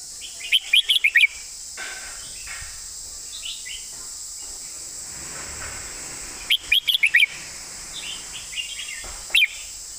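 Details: Red-whiskered bulbul giving a master song with a beautifully phrased delivery: short, quick bursts of bright chirpy warbled notes, the bursts spaced several seconds apart, over a steady background hiss and hum.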